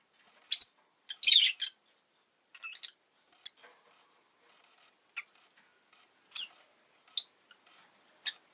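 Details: A pet rosy-faced lovebird, around the time an egg was laid, gives shrill, scratchy chirps in short irregular bursts, a quick cluster early and then single sharp notes every second or so, with street noise in the background.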